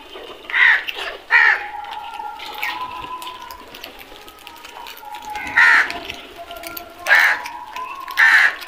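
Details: Crows give harsh, hoarse caws in short bursts, five loud calls spread over the recording with quieter gaps between, over a steady background hum and faint tonal lines.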